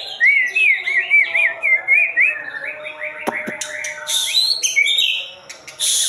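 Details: Rich whistled song of a White-rumped shama: a wavering, yodel-like clear phrase followed by jumbled chirps, two sharp knocks and some harsh buzzy notes near the end.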